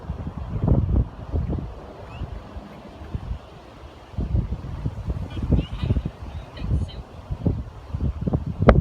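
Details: Gusty wind buffeting the microphone in bursts, with low rumbling and no clear animal calls.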